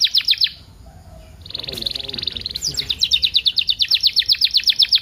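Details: Canary song meant as a tutor for singing canaries: a short burst of rapid chips, a pause, a buzzy sustained trill, then a long rhythmic run of bright repeated notes.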